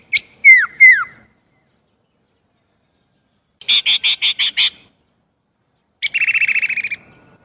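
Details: Chinese blackbird in separate bursts: three falling whistled slurs, a short buzzy chattering trill after a pause, then a scratchy rattle with a lower whistled tail.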